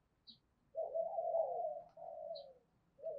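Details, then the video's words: Spotted dove decoy calling to spur fighting: a drawn-out, slurred low coo, fairly quiet, with a second fading coo and a faint hum of background noise. "Chim Cu Mồi GÁY GỌI_Thúc Đấu"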